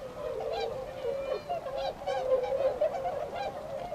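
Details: A group of tundra swans at Otakara-da pond, Azumino City, Nagano, Japan, 22 February 2013, setting off toward rice fields to forage. Dense, nasal, trumpeting honks run together in a busy chorus.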